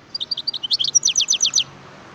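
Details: Wild European goldfinch recorded in 2018: a string of high, clipped notes that speeds up into a fast row of sliding, bell-like twitters before stopping.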